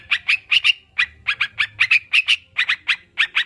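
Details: Sooty-headed bulbul, intended to get reluctant kept birds singing: bright slurred chirps, some doubled, about three per second, with a light low hum.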